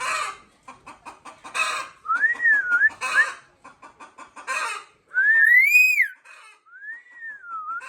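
Chickens cluck in quick, uneven bursts, broken by loud, clear whistles that rise and fall, probably a talking myna. A voice is heard in the background.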